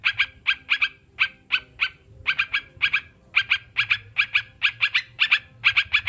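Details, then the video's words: Sooty-headed bulbul, recorded to coax kept birds into song and ease stress: brisk chattering notes grouped in pairs and triplets, repeated steadily with short gaps, faint hum below. "Terapi burung crucukan biar cepat bunyi"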